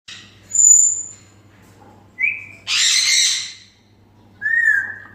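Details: One of a pet pair of grey parrots kept at home gives a high pure whistle, a short rising whistle, a loud harsh squawk, then a lower falling whistle, with a faint low hum behind.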